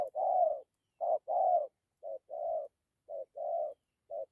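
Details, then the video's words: Spotted dove ('thổ') delivering 'gù' cooing with 'dặm' phrases: mellow, low-pitched double coos, each a brief note then a drawn-out hum, repeated roughly every second in a still background. "Thổ tốt tiếng gù tốt dặm kèm gù"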